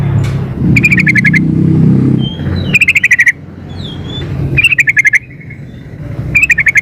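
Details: Female yellow-vented bulbul calling the male: four bursts of rapid, ringing chattered notes, each run of about six notes dropping slightly, between loud passing traffic and a faint thin whistle.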